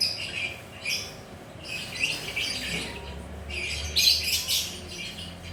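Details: Lovebird perched at ease, ngekek chattering in three or four loud bursts of scratchy, twittering squeaks separated by quieter moments, over a faint low hum.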